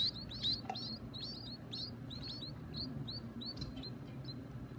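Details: Baby birds calling at feeding time; rapid, high, thin chirps repeated about twice a second, some overlapping, over a steady low rumble of background noise.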